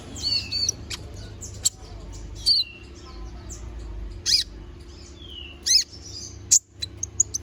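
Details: Little spiderhunter giving a sharp-toned fill-in song as a tutor recording. Scattered very high piercing chirps and short falling whistles are separated by pauses over a faint low hum.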